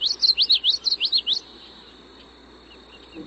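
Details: Common Yellowthroat spring song: a quick run of about eight bright, rolling phrases, witchity-witchity-witch, over roughly one and a half seconds, then quiet.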